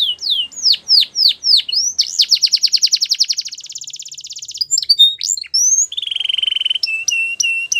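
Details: Singing male canary delivering a varied phrase: repeated downward-swept whistles, then a fast dense rattling trill, sharp rising slurs, and a steady pulsed tone near 3k ending in clipped repeated notes; no other sounds.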